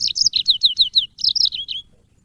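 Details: Yellow-fronted canary, a cage bird, singing for birdsong training: a quick run of about a dozen high, bright chirps, each sliding downward, delivered in two bursts with a short break, over a faint low rumble.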